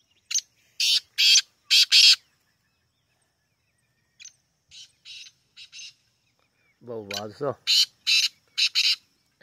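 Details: Black francolin giving harsh rasping calls: an opening short note, then a rapid run of loud buzzy bursts, softer notes midway, and a closing series. A brief human voice is heard near the end.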